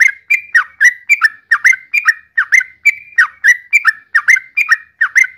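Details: Trucukan, the yellow-vented bulbul, repeats rich whistled notes that alternate between level and down-slurred shapes, about three each second, forming a steady, cheerful babbling song with no other sounds.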